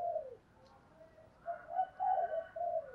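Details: Spotted dove cooing in the 'đồng thúc gù' style used for training doves: a soft, low coo, then a run of mellow hoots growing louder, over steady background hiss.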